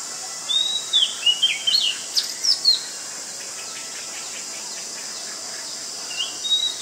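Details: Oriental magpie-robin, a very common resident of Ubon Ratchathani, Thailand, 19 March 2022; a rapid burst of varied whistles and sharp upslurs, a pause with faint background chirping, then more whistled notes.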